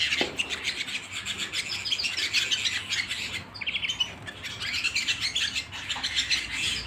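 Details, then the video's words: Canary singing at home: dense, fast high chirping and trilled phrases, continuous for about seven seconds, with a brief pause near the middle before the twittering resumes. "canary singing at home"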